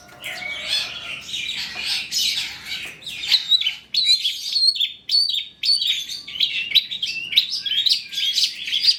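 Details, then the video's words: Long-tailed shrike song used to provoke other shrikes to sing; a dense, chattering medley of scratchy notes and short whistles, growing more clipped and staccato in the second half. "PANCINGAN CENDET TROTOL AGAR BUNYI, MASTERAN CENDET GACOR FULL ISIAN"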